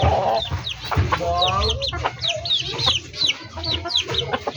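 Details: Backyard chickens: a stream of high, thin, downward-sliding peeps repeated rapidly, mixed with lower clucks and a few harsher calls over a low background hum.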